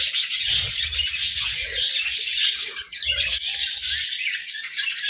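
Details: Budgerigars snacking on grass and moringa in winter chirp in fast, overlapping high twitters forming steady warbled chatter, accompanied by soft low crunching bursts through the first four seconds.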